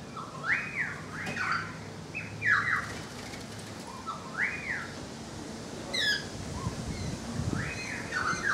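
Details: Currawong near a balcony giving arched, ringing whistled notes in pairs, rising then falling, repeated every couple of seconds over a faint background hum and a few soft low knocks.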